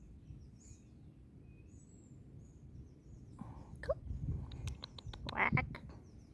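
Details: Wild Egyptian goose near a campsite, fed bread in the morning, gives a brief burst of harsh, raspy calls over a steady low rumble, with faint high chirps in the background.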